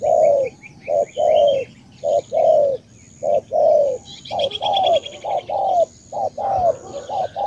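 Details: Cà Mau spotted dove, Vietnam, cooing steadily in a rhythmic series of low rounded hoots, some short and clipped, some drawn out and sliding down, with a burst of buzzy high birdsong partway through.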